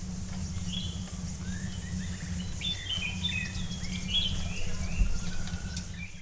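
Black-throated munias give quick, thin chirps and short slurred notes, several overlapping in a loose chatter, over a steady low hum.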